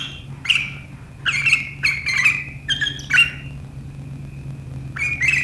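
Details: Sooty-headed bulbul giving sharp riwikan chatter, 7 April 2023, said to make rivals chatter too: scattered harsh high bursts, a long thin held whistle, then two more squeaky notes over a low steady hum.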